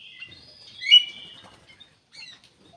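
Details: Black-capped bulbul in full, lively song, played as a lure to prompt other birds to sing or to draw them in: a short burst of clear whistled notes, one loud sliding whistle near the middle, then a faint, brief chirp.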